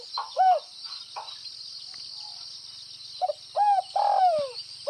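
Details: Gáy gù (bo) cooing by a spotted dove from Northwest Vietnam: a brief arched coo, a pause, then a phrase of short notes ending in a long downward-sliding coo, against a constant high hiss.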